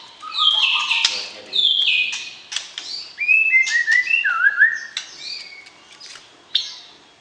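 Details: Captive white-rumped shama singing during pairing, meant to arouse a mate before moving to a breeding cage: varied whistles, sharp clicks and sliding mid-pitched notes, delivered in uneven bursts.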